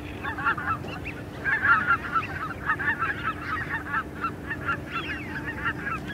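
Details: Small flock of greater white-fronted geese calling as they fly, rapid overlapping yelps and cackling honks in uneven bursts roughly once a second, over a constant low hum.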